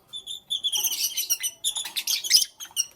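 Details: Pet lovebirds in the morning give shrill, high chirps, first as short separate notes, then merging into dense, harsh bursts of rapid chatter with brief pauses between outbursts.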